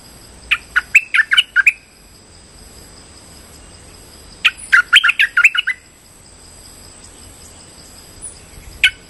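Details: Lure call of a Streak-eared bulbul for bird trapping: two quick bursts of sharp chirps repeated rapidly, then a long pause and a few faint notes, over a constant high-pitched electronic tone.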